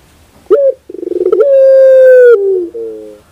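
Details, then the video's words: Collared dove song: a short clipped note, a burst of quick stuttering pulses swelling into one long, steady, hollow coo of nearly a second, then a softer, lower, falling tail note. "your puter bird will definitely sound"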